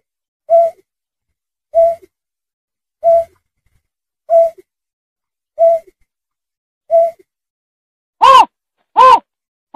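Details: Lure recording of berkik: six low, hollow hoots at a regular pace of about one every 1.25 seconds, then three loud, harsh, wailing harmonic calls at the end.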